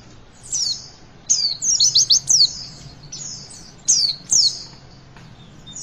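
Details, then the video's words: Javan white-eye witwit song played to get young birds singing: high, thin chirps and sliding whistles in short bursts, with a quick run of sharp notes mid-clip and faint low background hum. "Pleci Bakalan Ikutan WITWIT ga pake lama Bikin Gacor!!!"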